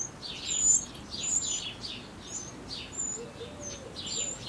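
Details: Eurasian wren chicks at the nest, hours before fledging, beg during last feedings by adults bringing varied prey: high, hissing, downward-sweeping chirps, about two each second, mixed with thin very high whistles over soft hiss.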